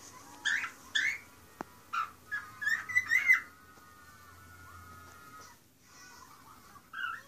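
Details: Pet bird singing indoors on its new perch by a window, as it does each time it is placed there: a series of short whistled and chirped notes in bursts, then a long thin whistle and a final chirp.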